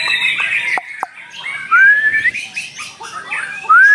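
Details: White-rumped shama singing at a singing contest: loud, clear, rising whistled phrases near the end, over a busy background of other birds chattering and chirping.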